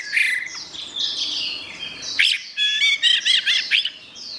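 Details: Orange-headed thrush in gacor style, soft high warbling leading into a loud sequence of repeated bright wavering whistles and sharp chirps.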